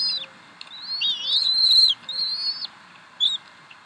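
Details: Bald eagle mother feeding three eaglets at the Decorah nest at 7:50 pm CDT on 26 April 2012; wavering high whistled squeals overlapping in quick succession, then one brief chirp.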